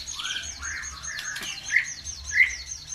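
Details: Provoking song for birds: rising whistled slurs, then a quick series of descending high notes repeated rhythmically, with two sharper chirps standing out and a low hum in the background.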